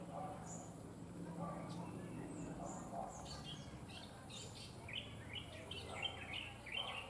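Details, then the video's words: Bronzed drongo singing from a wire: sparse high notes early, then a busier stretch of varied chirps and short whistles in the second half, over persistent low rumbling background noise. "Bronnzed drongo sings beautiful line wire"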